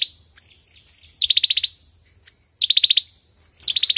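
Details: Lure recording of an olive-backed sunbird's fighting song: three fast high trills of about six sharp notes each, spaced well over a second apart, faint soft chips between.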